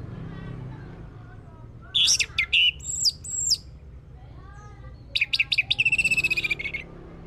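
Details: Orange-headed thrush song as a lure to make a bird sing: a burst of varied sharp whistles and slurred notes, a pause, then a rapid rattling trill ending in a drawn-out high whistle.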